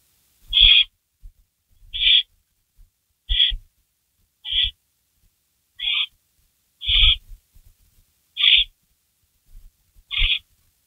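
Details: Barn owl at a rabbit delivery at 3:53 AM on May 16, 2012, uttering eight short, rough hissing screeches at irregular intervals of about one to one and a half seconds, mixed with low knocks and scratching.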